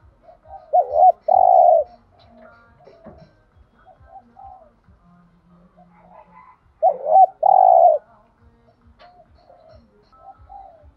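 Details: Spotted dove thúc gù cooing intended to provoke other doves to call: two phrases, each of quick rising coos ending in a long loud coo, about six seconds apart, with soft coos and low ticking between.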